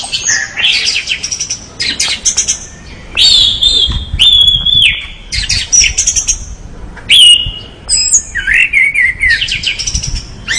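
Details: Orange-headed thrush singing actively, alternating clear sliding whistles with scratchy, buzzy chatter and sharp clicks in a continuous, varied stream of short phrases.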